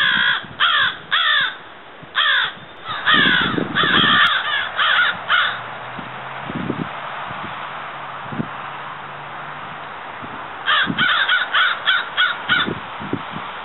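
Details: Florida crow, subspecies Corvus brachyrhynchos pascuus, delivering rapid bursts of short, grating caws in irregular runs, a pause of several seconds, then another quick string of caws; faint low rumble and scattered ticks behind.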